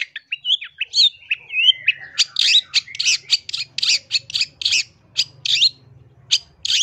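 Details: Long-tailed shrike singing a rich, varied master song for luring: wavering whistled slurs at first, then a steady series of harsh, buzzy bursts repeated several times per second.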